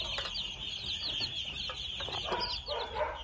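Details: Red junglefowl chicks, two months old, chirping in quick, high peeps, with a few lower, rougher clucking notes near the end, set against a constant shrill background hum.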